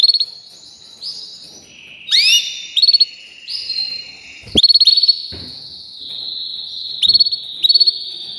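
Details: Canary of the gold medal type singing varied tours: rolling trills, a sudden rising sweep, then rapid clipped rattles and sustained bright high trilling, with faint cage clicks.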